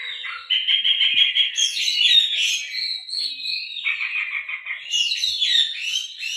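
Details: Oriental magpie-robin in full song, its repertoire filled with canary phrases, used to stimulate other birds to sing: dense, continuous warbling of rapid chirps and trills, shifting upward into bright, high sweeping notes, with no other sounds.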